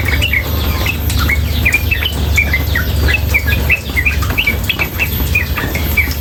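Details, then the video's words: Female yellow-vented bulbul chattering rapidly and nonstop, a string of bright, clipped chirps over a continuous rush of water and a low rumble. "Masteran trucukan betina dan suara air"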